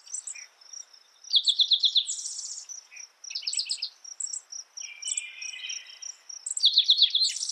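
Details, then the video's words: Spotted towhee song repeated several times: each phrase opens with a run of quick clipped notes and ends in a buzzy, rattling trill. Other birds chirp between phrases over a continuous high-pitched hum. "Spotted Towhee Bird Sound, Bird Song, Bird Call"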